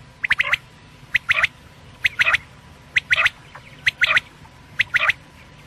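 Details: Quail, a night call, heard as clusters of sharp clicky double and triple notes repeating almost every second in an even rhythm over quiet background hum.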